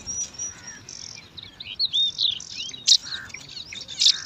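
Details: Bar-winged prinia chicks, five in a nest in alang-alang grass, squabbling over food: thin whistled notes at first, then rising squeaky chirps and two loud sharp bursts in the second half.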